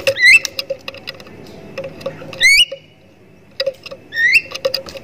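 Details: Javan myna calling as a lure for other mynas: loud rising whistled squawks three times, with soft clicking and chattering between them.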